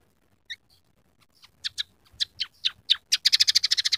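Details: Energetic scaly-breasted munia song mixed with rough canary, sparrow and red siskin phrases: sparse chips quickening into harsh notes about every quarter second, then a rapid, even trill.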